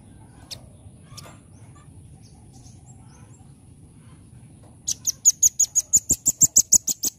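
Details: Velvet-fronted nuthatch, known locally as rambatan, in full 'nembak' song: after several seconds of near-quiet with a couple of faint ticks, a fast burst of piercing high notes begins, about six per second.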